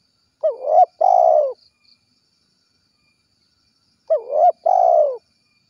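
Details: Spotted dove calling to its companions in 'kuk 1' style: two identical two-part phrases, each a rising hooked coo and then a long falling coo, about 3.7 seconds apart, with silence between.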